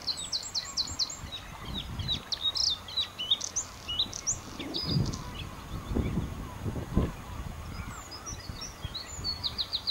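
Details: Bluethroat singing on Texel, Netherlands: a varied, rapid high song of repeated sweeping notes in quick runs, with ringing trills and a pause mid-phrase, set against steady low wind rumble.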